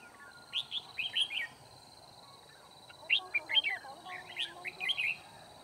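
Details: Red-whiskered bulbul decoy in a trapping session on 9 February 2019, singing to challenge rivals; several cheerful warbled phrases of quick chirping whistles, with a low faint voice murmuring underneath.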